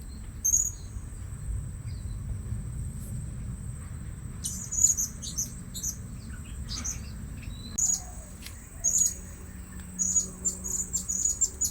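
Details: Blue-crowned hanging parrot calls while luring birds at a new spot. Sharp, high squeaky chirps come in scattered clusters, growing more frequent toward the end, over quiet background noise.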